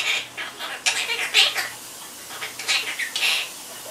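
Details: Pet quaker parrot, described as a chatterbox, chattering almost continuously in rapid, raspy, squeaky syllables of varying pitch, some sharper and brighter, with brief pauses and a faint steady hum in the background.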